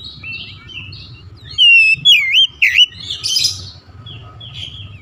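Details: Oriental magpie-robin (kacer) song, meant to rouse a silent, off-form bird into full singing: a short burst of loud, wavy whistled notes swooping up and down, then softer twittering over a low steady hum.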